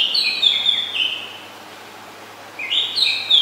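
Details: Oriental magpie-robin, a very common resident, recorded in Ubon Ratchathani, Thailand, on 20 September 2022: two bursts of clear whistled phrases, sliding and stepping between notes, separated by a quiet pause.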